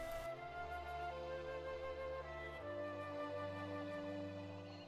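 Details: Slow, sustained flute and background music with held low notes, and no animal sounds.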